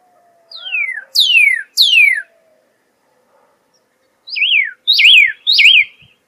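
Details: A Pyrrhuloxia sings three long, falling whistles, then switches to three sharp zigzag notes, each beginning with a quick rise.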